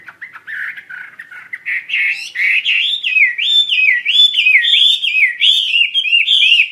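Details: Chinese hwamei in full song, loud and energetic: a rapid run of rich whistled notes that climb in pitch, becoming looping, up-and-down phrases repeated about three times a second, with no other sounds.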